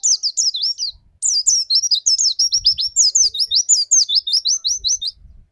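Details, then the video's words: Lure singing from a white-eye, played so another white-eye starts its rapid 'nembak' song: an almost unbroken string of thin, high, downward-sweeping whistles, several per second, pausing briefly near the first second. "inilah rahasia bermain burung pleci pancingan di jamin pleci anda cepat nembak"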